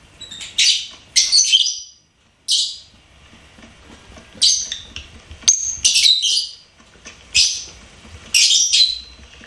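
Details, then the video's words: Pet lovebird chirping and singing: short bright bursts of high squeaky chirps and trills, separated by quiet pauses of about a second, with faint low background hum. "LOVEBIRD SINGING & CHIRPING SOUNDS"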